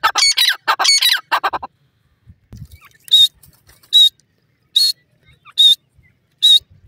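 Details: Pheasant chicks fighting in a forest: a cluster of harsh squawks, then a pause and five thin, piercing peeps spaced under a second apart.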